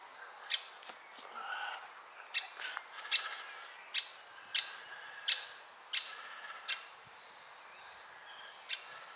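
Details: Woodpecker chick in its nest giving short, harsh, high-pitched calls in irregular bursts, some close together and others spaced about half a second to two seconds apart, with faint whistles from other birds in the background.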